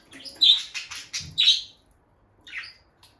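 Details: Rapid series of piercing high chirps from a bonded pair of peach-faced lovebirds near their nest box, then a brief pause and one softer chirp.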